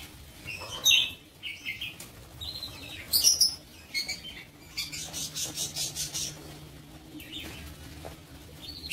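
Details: Lovebirds kept in a breeding aviary: shrill, high chirps and squeaky tweets come in irregular bursts, some overlapping, with a busy run of rapid chatter in the middle and a low steady hum underneath.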